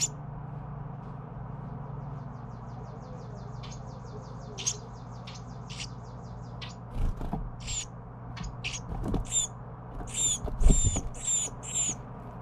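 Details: Young Carolina wren fed by parents, giving a run of faint rapid ticks, then louder harsh high buzzy bursts in quick succession near the end, with a low background hum.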